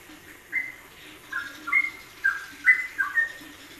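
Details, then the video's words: Yellow-vented bulbul ropelan combination for masteran: scattered short, clear whistles and downslurred notes, spaced irregularly, grouping into a quicker bubbly cluster near the end, with a soft hiss behind. "Kombinasi Ropelan Trucukan WK untuk Masteran"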